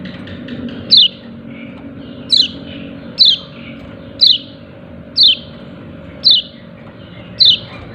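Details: A white-eye with a yellow breast calls "ciak ciak": seven crisp, high downslurred notes roughly once a second, a soft steady hum in the background.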